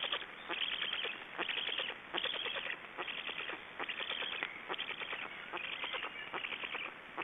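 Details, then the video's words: Black storks in Estonia after swallowing a big fish: grouped series of harsh, rasping pulses, several short bursts packed together, then brief pauses, repeating over seven seconds. "Estonian Black Storks - After swallowing the big fish"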